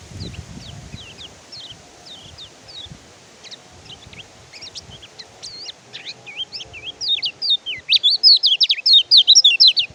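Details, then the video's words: Oriental white-eye, locally kecial kuning or pleci, singing as training song for reluctant birds: scattered thin high whistled slurs that build into a loud rapid burst of twittering chirps near the end. "BURUNG KECIAL KUNING MACET BUNYI PAKAI MASTERAN INI"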